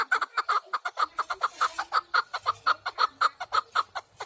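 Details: Loud, rhythmic chattering from a partridge: a continuous string of harsh clucking notes, roughly two each second, kept up throughout without pause.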